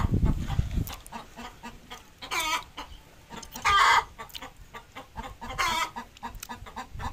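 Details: Desi hen, a native domestic chicken, at the time of laying an egg: a few short, harsh clucking bursts at irregular intervals, with a loud low thump at the start and background noise between calls.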